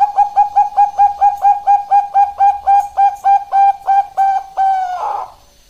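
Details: Zebra dove of the Bangkok strain, a female calling a male, master and lure song: about fourteen bright cooing notes delivered evenly and quickly, ending in a longer drawn-out note that fades into a soft trill.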